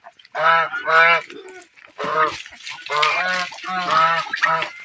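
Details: Geese enjoying the water honk in a close, overlapping series of nasal blasts, with some splashing noise underneath.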